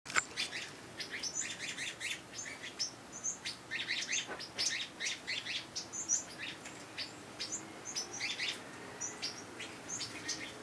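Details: Birds at a garden feeder in coastal Santa Cruz, California, give quick high chirps and tweets in steady, overlapping bursts. The calls sound fairly distant over a soft hiss.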